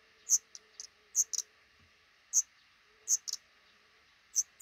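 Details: High, sharp chirps from a black redstart family nesting above a front door while five chicks hatch, sounding in small clusters of one to three notes, roughly every second, over a faint steady hum.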